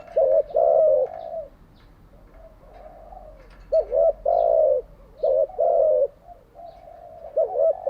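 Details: Spotted dove calling as a decoy for daily training of caged doves: three or four mellow phrases, each a rippling double coo running into a long falling coo, separated by quieter trailing notes.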